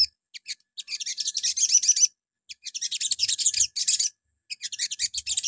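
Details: Crimson sunbird singing in the morning as a lure for other birds: long runs of very high, rapid, buzzy chittering notes, about every two seconds, separated by brief gaps.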